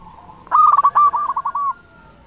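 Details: Local zebra dove with big voice, singing to lure other zebra doves: one rolling cooing phrase of about a second, starting loud and rough, then breaking into short, clipped notes.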